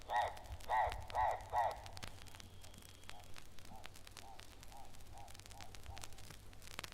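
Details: Harsh, croaking calls of Hartlaub's turaco, a colourful East African bird. Four loud, rough barks repeat at a steady pace, followed by a fading run of softer hoarse notes, with a low hum underneath.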